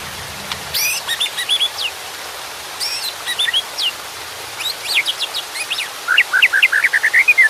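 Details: White-rumped shama singing with water in the background: bursts of sharp, high, scratchy notes and whistles separated by pauses, then a quick run of rising whistled notes at the end.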